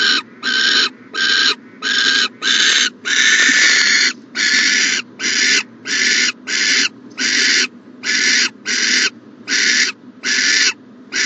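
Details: Owls at a nest box on a January morning, 14 January 2020. Harsh, broadband rasping hisses come in a steady series of about a dozen bursts, each roughly half a second long, with short gaps between them.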